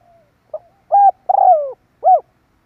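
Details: Single cooing phrase of a spotted dove played as a lure for wild birds: brief soft note, smooth coo, drawn-out rolling coo sinking in pitch, then a last round coo.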